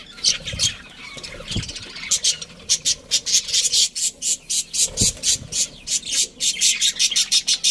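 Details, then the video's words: Budgerigar breeding colony kept at home, with uneven chatter at first, then a fast train of short, harsh, high pulses repeated several times a second, and a few low thumps. "Cute Budgies Chirping Sounds"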